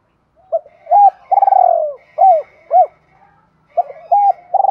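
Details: Spotted dove calling to train decoys and excite newly caught birds: short coos leading into a long trembling falling note, two clipped coos, then the phrase starting again.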